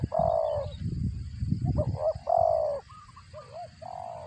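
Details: A spotted dove calls while feeding its young, a sound likened to a cricket. Drawn-out nasal notes alternate with brief wavering chips, and a burst of low rustling noise breaks in early.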